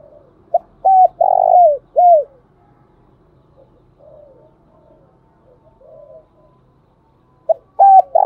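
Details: Spotted dove, a long-calling bird, gives its pushed 'thúc bổi' and calling coo: a short note, then a run of three hollow, sliding coos with a drawn-out middle note, a quiet pause of murmurs, then the phrase begins again.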